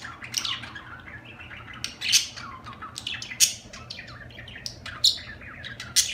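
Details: Budgerigars giving continuous high warbling chatter, mixing quick descending chirps with louder sharp squeaks roughly every second or so, over a faint steady low hum.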